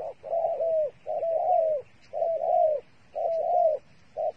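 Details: Dove kept as trapping bait uttering paired coos, a short note run into a longer, slightly falling one, repeated about once a second, with light low background noise.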